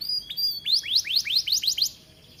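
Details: Canary in lively song for training: a brief high whistled phrase, then a quick run of about seven rising, chirping notes repeated several times a second.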